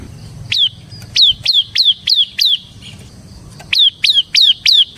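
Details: Bar-winged prinia (ciblek semi) in 'ngebren' style: high, steeply down-slurred notes repeated rapidly in two runs, of six and five notes, separated by a short pause, with faint low rumble behind.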